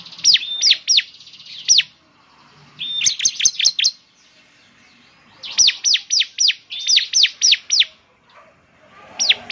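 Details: Bar-winged prinia, locally ciblek semi, in strong song as a lure to make a bird sing: short bursts of four to six piercing, descending high chips separated by brief silences, repeated several times.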